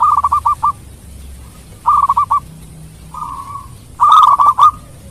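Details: Local zebra dove singing to make rival birds reply fast: short stuttering trills of rapid coos in four phrases, one smoother drawn-out coo, the last phrase louder and richer, quiet background otherwise.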